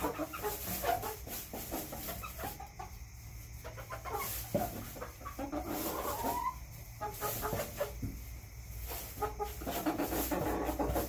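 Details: Several backyard chickens cluck and murmur throughout, with short rising notes and scattered clucks over a constant low hum and hiss.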